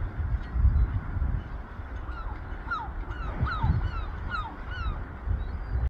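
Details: Two Eurasian oystercatchers on a beach at low tide in Hartlepool give a quick run of sharp, downslurred piping notes, about three a second, over a steady low rumble of wind or surf.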